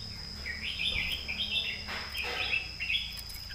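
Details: Red-whiskered bulbul southern-style master song, somewhat distant: repeated warbled whistled phrases rising and falling, against a noticeable low hum and background noise.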